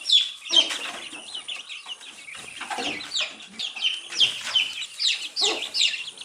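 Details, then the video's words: Baby chicks feeding on earthworms; rapid overlapping high peeps from several chicks, bright and slurred downward, mixed with pecking and rustling. "Cute Baby Chicks eating earthworms and chirping sound"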